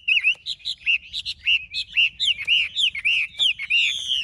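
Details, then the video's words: Song of a large, captive Chinese hwamei in Vietnam: a steady string of loud, bright whistled notes, each bending upward then dropping, spaced about three every second. "Họa mi bộ to"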